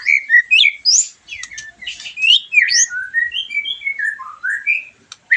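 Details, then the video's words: A white-rumped shama sings as a post-moult stimulation sound: clear, varied whistled notes, some rising and some falling, mixed with quick chips, delivered in a steady flowing sequence. "PANCINGAN MURAI BATU BERES MABUNG LANGSUNG NYAUT,PENAMBAH EMOSI DAN BIRAHI"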